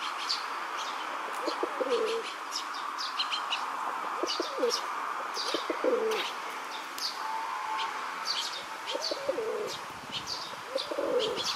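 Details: Courting male Rock dove in a park, throat puffed, pressing his attentions on a female: low, rolling coos repeated every two to three seconds, about five bursts. Frequent high chirps from other birds and faint wing flaps around.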